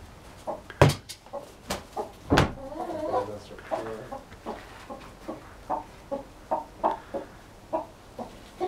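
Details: Backyard flock of three hens and a rooster, the rooster declining to crow: irregular soft clucks and murmurs, a couple of sharp knocks, then steady low clucks roughly every half second.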